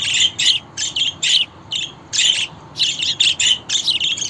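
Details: Budgerigar chattering: a rapid, scratchy warble of short buzzy and chirping notes in quick irregular bursts, continuous with brief gaps, with no other clear sounds.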